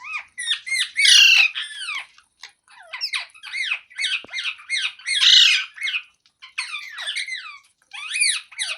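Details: A talking parrot makes loud, raspy squawks and bent, harmonic chatter notes in irregular bursts, some rising then falling, with short pauses between groups.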